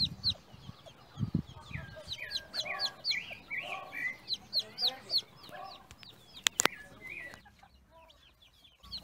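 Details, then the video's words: Farm chickens giving rapid high peeping notes and a few soft mid-pitched clucks, with a couple of sharp clicks near the end before the calls fade. "som da galinha"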